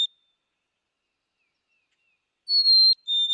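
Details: Black-capped chickadee: the tail of one whistle at the start, then after a silent pause a single clear two-note phrase, a sustained high tone stepping down to a lower, faintly stuttered second tone.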